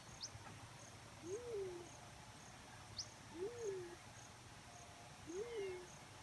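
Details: Black-chinned fruit dove giving a steady series of three low, mellow coos, each swelling up then drooping down, repeated roughly every two seconds. Faint high ticks and insect hum are heard behind.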